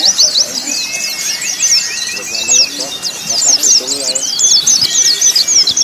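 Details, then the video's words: Caged white-eye song in a contest-training mix, with recordings of a calling female, a male's call and long canary-like phrases: dense high twittering trills and chirps, with thin whistled notes lower down. "Terapi pleci + simulasi lomba burung pleci untuk melatih mental pleci"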